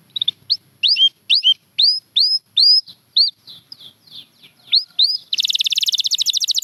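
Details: Champion canary singing, a Gloster canary among those featured: a run of bright, upward-curving whistled notes, some falling, repeated about twice a second, then a fast buzzy trill at the end.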